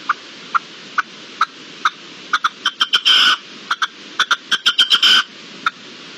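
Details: Wild red-legged partridge calling in the open, recorded 13–14 March 2022: a series of short sharp clicks and chucks spaced roughly every half second, building into bursts of faster notes and two longer rasping harsh calls.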